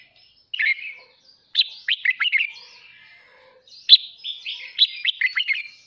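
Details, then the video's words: A wild-caught red-whiskered bulbul sings in the morning, used for voice training: bright, bubbly warbled phrases in three short bursts of quick chirpy notes over about six seconds, against a quiet background. "Chào mào kích bổi hót sáng"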